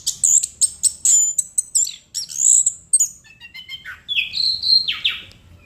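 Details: Energetic chestnut-capped thrush song, a rapid run of sharp high chips and whistles followed by lower swooping, slurred whistled phrases, continuous and varied throughout, over a faint low background hum.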